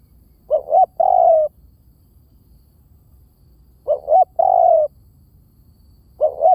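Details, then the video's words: Spotted dove decoy cooing: repeated phrases of two clipped low notes and a long sliding coo, spaced about three seconds apart, with a last phrase starting at the end and a quiet background. "เสียงนกเขาใหญ่!! เสียงต่อ! ชัดๆแบบ V18"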